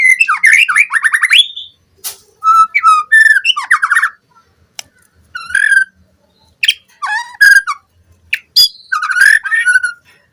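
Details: Captive-bird lure recording of White-rumped shama song. It holds long, varied phrases of rapid trills, fluty whistles and sharp notes, with sudden clicks and short gaps between bursts.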